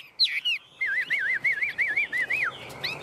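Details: Tame Chinese hwamei singing while perched on a hand: a few sweeping whistled notes, then a long run of rapid wavy, rolling whistles held at a steady mid pitch, ending in a falling slur.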